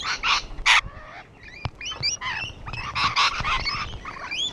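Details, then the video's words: Rainbow lorikeets on a wall give a flock chorus: three hard rasping screeches open, followed by a stream of high squeaky, rising and falling notes. "Rainbow Lorikeets on the wall"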